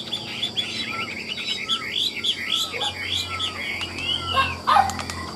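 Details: Chinese hwamei singing at about 8:30 in the morning on a hot, sunny day, after singing nonstop since it was hung out around 6: a rich, varied run of loud slurred whistles, rising and falling phrases almost without pause, with sharper notes near the end.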